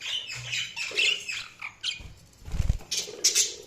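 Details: Budgerigars chattering with quick high chirps and squeaks, broken by a soft thump and rustle partway through.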